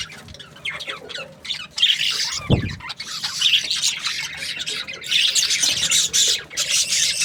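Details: Budgerigar breeding pairs chatter in a steady, scratchy flock warble of quick chirps that swells louder after a quieter start; a single low thump sounds partway in.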